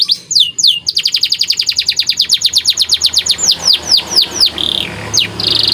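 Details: Canary, a white bird, singing lively training song with special phrasing: looping whistles, a long rapid trill of falling notes that slows into wide swoops, ending in buzzy high tones.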